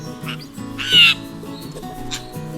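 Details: A blue jay at a backyard dog-puzzle feeder baited with kibble yells at the puzzle: a single loud, harsh, raspy screech of about a third of a second, with soft music underneath.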